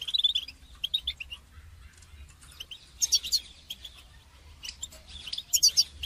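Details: Goldfinch song for training songbirds: softer, thin whistled notes and rapid twittering, with brighter buzzy bursts near the middle and end over low hum.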